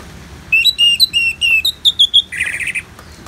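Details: Orange-headed thrush song: a run of clear flat whistled notes at steady pace, rising in steps toward the end, closing with a harsh rasping buzz.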